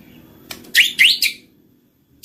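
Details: White-rumped shama song used as a lure to prompt silent birds to sing: a short burst of bright, high whistled and buzzy notes with sharp upward-sweeping slurs, followed by a pause and a clipped high note.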